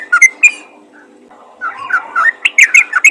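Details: Yellow-vented bulbul calling other bulbuls: two short whistled phrases, a near-silent pause, then a rising jumble of warbling and chirping notes that quickens toward the end.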